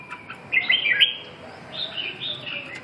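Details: Red-whiskered bulbul delivering a quick rich warbled phrase of several rising and falling notes, followed by a softer, longer run of similar notes trailing off.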